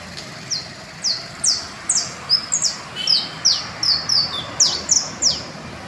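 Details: Saffron finches in Valle Las Delicias give sharp, high, downslurred chips about twice a second, mixed with brief bright trills, over a faint steady background hiss.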